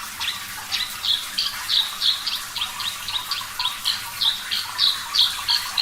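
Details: Javan bush lark (parva) singing over a hiss of noise on a recording for caged-bird training: fast, high chirped notes repeated about three times a second in an even, chattering series.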